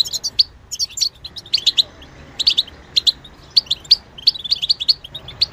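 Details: Goldfinch song, from a bird described as mimicking other species: quick high chirps and twittered notes in short bursts, separated by brief pauses, with a steady faint background hiss.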